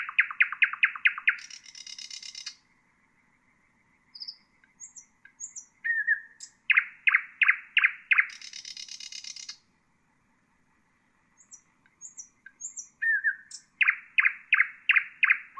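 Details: Common nightingale singing, played to train bulbuls and songbirds: fast runs of loud repeated notes alternating with high buzzing trills and scattered soft whistles, phrases separated by brief pauses, with no background noise.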